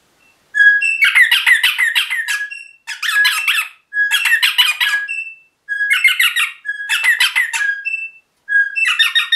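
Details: Pet rosella parrot chattering in rapid bursts about a second long, harsh rattling notes mixed with short clear whistles, six bursts separated by brief pauses.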